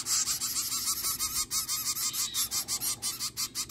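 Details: Baby zebra finch chicks on day nine of hand-feeding, kept warm in a makeshift cardboard brooder box, begging: dense raspy hissing bursts repeated about three times a second, steady and unbroken.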